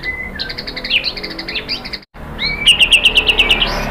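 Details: White-rumped shama lure song for prompting other birds to sing: a plain whistle, then a scratchy chatter of quick notes. After a brief silence comes an upslurred whistle and a fast, even trill of high notes.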